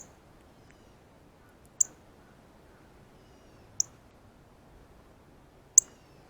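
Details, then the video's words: Male Northern Cardinal eating seeds off a ripe banana at a feeder he has to himself, giving the classic feeding chirp: three sharp, very high, metallic chips spaced about two seconds apart over a quiet background. "Cardinal 🐦Meets Banana - Feeding Chirp Sounds"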